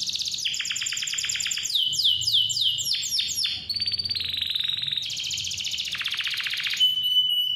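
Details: Clear, vigorous canary song intended to draw young or silent canaries into singing; quick series of falling whistled sweeps, a short pure note, then dense rolling trills in several blocks, closing on a thin sustained whistle.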